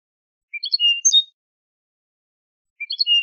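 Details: A Spanish goldfinch tutor phrase, recorded to teach young birds, sounds twice against silence. Each phrase is a quick upward series of chirps that ends in a bright, sustained whistle.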